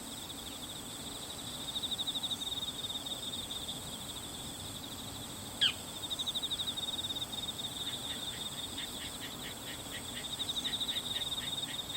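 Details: Single bull-headed shrike, perhaps female, 22 September 2015, calling before flying off and returning; a rapid series of short, harsh, evenly spaced clicking notes near the end, one loud sharp note midway, constant high insect buzz behind.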